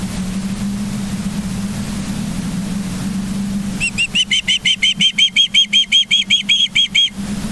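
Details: Live nest camera at Charlo, Montana, 24 August 2023, 09:29: several seconds of low steady hum, then ospreys break into a fast, regular string of about fifteen high, thin, whistled chirps.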